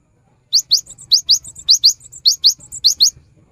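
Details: Lively cinereous tit song for coaxing silent tits to sing: paired high, sharp upward notes repeated briskly, each pair followed by faint twittering, with a soft low hum beneath.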